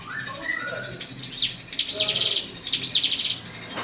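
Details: Drongo singing to rile a rival bird, giving short high descending slurs that break into buzzy trills at intervals of about one second, with softer lower whistles early on and steady background hiss.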